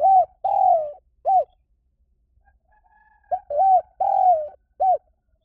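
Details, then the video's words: Spotted dove lure call: two phrases of low, hoarse cooing, each a short note, a drawn-out coo that slides down, then a clipped final coo, separated by about two seconds of silence. "เสียงนกเขาใหญ่ หมานๆ ต่อเข้าเร็ว ป่าไหนก็เข้า"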